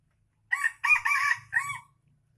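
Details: Aceh red junglefowl, an F1 bird, gives a hoarse crow of four quick bursts, the middle two longest, lasting about one and a half seconds in otherwise quiet surroundings.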